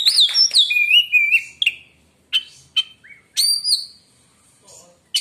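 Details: White-rumped shama song said to silence other shamas: fluty sliding whistles in quick succession, isolated sharp notes, then a long high clear whistle.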